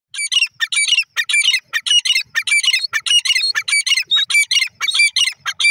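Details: Grey francolin, called gora teetar, calling loudly; harsh, ringing squawking notes with strong harmonics come in rapid uneven bursts, about a hundred a minute, with no other sounds.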